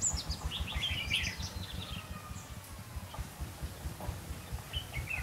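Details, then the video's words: Red-whiskered bulbul used as a decoy during trapping in Vietnam, giving short bright warbled phrases in a few bursts, partly masked by steady low rumbling noise throughout. "Bẫy chào mào đá lân"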